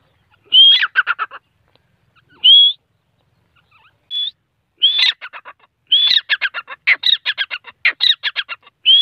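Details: Grey francolin (teeter): a whistled note with a quick trailing series, then two isolated rising whistles, then a long continuous run of clipped repeated notes, each group led by a higher whistle. The background is quiet.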